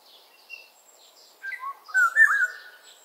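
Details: Black-naped Oriole calling: a loud fluty whistled phrase of sliding, looping notes in the middle of the clip, mostly in the second half, with faint high chirps of other birds in the background.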